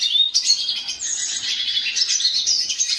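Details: Brief burst of hooded siskin song, dense high twittering with a sustained buzzy stretch in the middle and quick chirped flourishes throughout.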